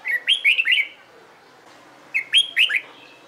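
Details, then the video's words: A red-whiskered bulbul undergoing competition-song training sings two near-identical phrases about two seconds apart, each four rising-falling whistled notes in rapid sequence. "LUYỆN CHÀO MÀO HÓT ĐẤU/ CHÀO MÀO MÚA HÓT CHÉ VUI NHỘN"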